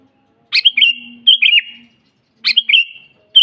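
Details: Kutilang, the sooty-headed bulbul, in lively full song recorded in nature without fillers, used to train and lure other bulbuls: rich gurgling whistled phrases of three or four quick notes, two full phrases with a brief gap between them.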